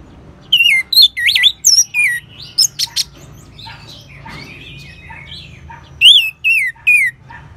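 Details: Orange-headed thrush singing, used as a training sound to prompt other birds to sing, North Bali: rapid varied whistled phrases with twisting, swooping notes and sharp high chips, then a group of four descending wavy whistles.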